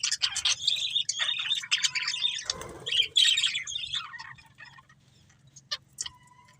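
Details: A breeding pair of budgies gives busy chattering warble for about four seconds, rapid squeaky chirps and buzzy notes, then trails off to a few isolated sharp chirps amid quiet, with a low steady hum beneath.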